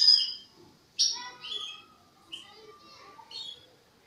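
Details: European goldfinch youngster working on its song, giving bright high chirps and slurred tinkling notes in short separate phrases roughly once a second, each fading quickly, over a quiet background.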